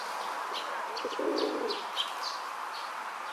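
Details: In a park, a male rock dove puffs out his throat while pressing his courtship on a female, giving a single low, soft, half-second coo amid a continuous hum and faint high chirps from small birds.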